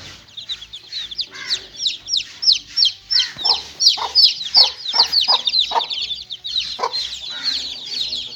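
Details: Little chicken chicks playing, giving loud, clear, downward-slurred peeps in rapid succession, nearly three per second, some with a fuller lower chirp, over a quiet background.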